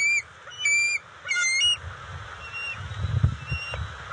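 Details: Three loud, piercing harmonic squeals from bald eagles at the nest as fish is delivered to juveniles, June 29, 2021. Faint thin notes and a low rumbling scuffle follow.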